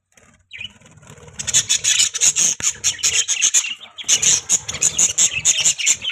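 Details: Captive budgies building from soft notes into a fast, rasping, high-pitched chatter of clipped chirps, with a brief gap before the chatter picks up again.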